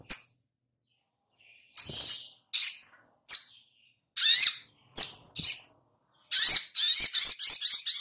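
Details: Sharp, high single chirps of a little spiderhunter in a lure recording meant to make birds sing, spaced irregularly, then a fast dense burst at the end.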